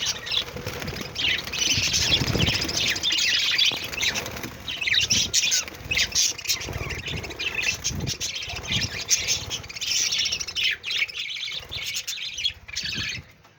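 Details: Happy budgerigars, singing while eating, chatter in a dense, scratchy warble of fast chirps and squeaks with some wing flutters.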